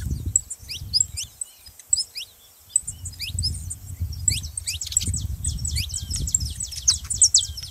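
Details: Saffron finch singing to rouse a reluctant canary: rapid high chirps and steep downward slurs, thickening into a busy chatter, with intermittent low rumbling in the background.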